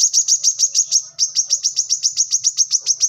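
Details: Brown-throated sunbird, known locally as kolibri kelapa, manggar or wiceh, singing energetically in a tutor recording for cage birds: a rapid run of high, sharp chirps, about three or four each second, broken by one brief pause.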